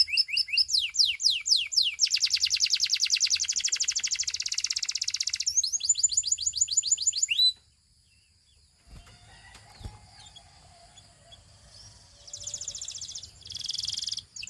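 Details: Russian canary singing: a burst of fast, sharply repeated high notes runs into a long buzzy rolling trill lasting about seven seconds, ending in a quick whistled swoop; after a quiet pause with faint low hum, a short bright trill returns.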